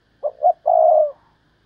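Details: A single thúc lợi cốt call from a decoy spotted dove: two quick low coos, then one long, slightly rough coo held for about half a second.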